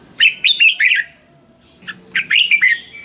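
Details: Caged-bird training song of the Red-whiskered bulbul, used to excite birds: two bursts of rich, bubbly whistled phrases, three or four quick notes each, separated by a short quiet gap.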